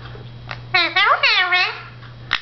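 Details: Pet blue Indian ringneck parakeet indoors, chattering to itself at a mirror: a short run of mimicked, speech-like syllables with sliding, rising and falling tones, closed by a sharp click-like note; steady low hum beneath.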